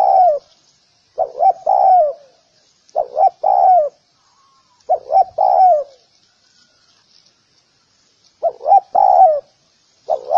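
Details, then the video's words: Spotted dove, sound for training doves, giving soft, mid-pitched cooing phrases of two or three notes, repeated every two to four seconds with short pauses between. "សម្លេងសម្រាប់បង្ហាត់លលកច្បាស់ល្អ / Sound of Spotted dove"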